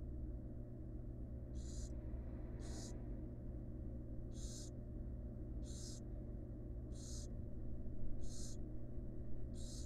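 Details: Barn owl mother resting near her young in a wild nest box; seven soft, rasping hisses at irregular spacing of about one to one and a half seconds, with a persistent low hum beneath.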